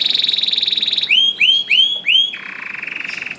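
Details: Canary performing a rousing song for slow-singing canaries: a fast high rattle, then four loud rising swooped whistles about every third of a second, then a low steady trill.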